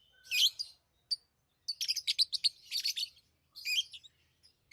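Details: Pet lovebirds chatter with shrill chirps, a quick rattling series of short notes in the middle, and a few thin whistles, separated by brief silences.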